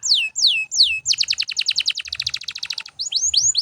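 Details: Canary singing continuously, used to train other birds: three slurred descending whistles, then a fast rattling trill of repeated notes, ending with rising whistled slurs.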